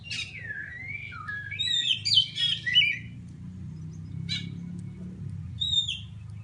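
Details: Chatty Oriental magpie-robin from Aceh Pidie calling for a sparring partner: a quick run of mixed sliding whistles and harsh chirps, then isolated sharp notes over a persistent low droning hum.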